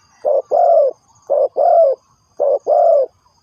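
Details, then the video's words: Spotted dove used as a lure for trapping, giving a low cooing call: a short note followed at once by a longer, level, drawn-out coo, the pair repeated three times about a second apart. "The Sound Of Spotted Dove is good"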